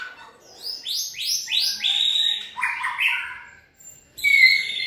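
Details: Shama in stamina training, singing a quick run of sharp downslurred notes that step lower one after another, a short pause, then a bright high whistled phrase.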